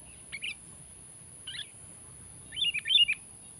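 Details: Sooty-headed bulbul calling to challenge a rival: a few faint isolated chirps, then a brighter cluster of quick whistled notes near the end, over a low background hum.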